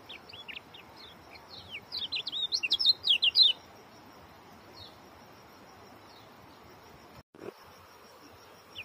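An Oriental white-eye sings a fast, high twittering burst of tight, squeaky notes for about two seconds, then falls quiet against a faint background hiss.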